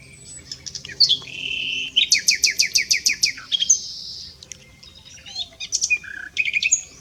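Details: At S'Albufera a common nightingale delivers a loud series of about nine evenly spaced, hammering notes after a buzzy opening, followed by thin whistles and a closing trill.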